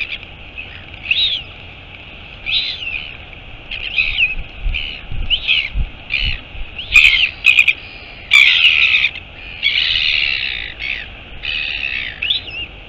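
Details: Royal albatross colony at Taiaroa Head, Dunedin, New Zealand, 23 August 2022: the mother lands at the nest amid a series of grating, rising-falling calls that grow louder and longer, with a few knocks and a continuous windy hiss.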